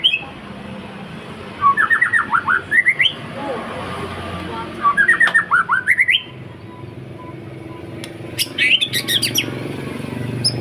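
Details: Indonesian white-rumped shama singing 'pastol' style, played to lure other birds: two bursts of quick pulsed notes rising toward the end, then a high thin twittering, over steady background hum.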